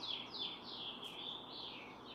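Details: Barn swallow at its nest holding four eggs, the parents taking turns incubating since June 6th while the other keeps watch nearby; a continuous high warbling twitter wavers up and down through about two seconds over faint background hiss.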